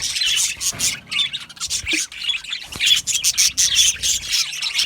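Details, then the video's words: Aviary budgies chirp and twitter en masse, short bright whistled notes and scratchy squeaks in quick uneven bursts, louder toward the close. "Australian Budgie chirping sounds"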